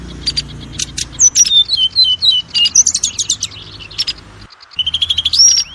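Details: Oriental magpie-robin (kacer) lure song, used to prompt other kacer to sing quickly and boost their spirit: varied high whistled phrases, sliding downward notes and sharp rapid chips, a brief pause, then a rising whistled run.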